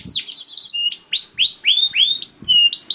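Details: Loud canary gacor song meant to set other canaries singing quickly: a buzzy opening trill, then clear curving whistles repeated roughly four times a second, with faint knocks beneath.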